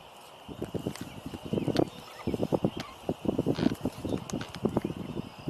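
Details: On 4 April 2026 in spring, at a wetland with mute swans nearby, an unseen Pied-billed Grebe calls somewhere: a long run of low, hollow, clucking notes, several per second, over faint outdoor background noise.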